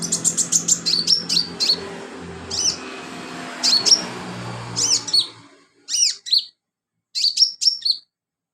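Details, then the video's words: Sunbird singing actively, recorded as filler song for training other songbirds: rapid bursts of very high, thin chips and short trills, interspersed with sharp downslurred notes, then a few quieter gaps near the end; faint low hum underneath. "BURUNG KOLIBRI/CONIN GACOR buat isian"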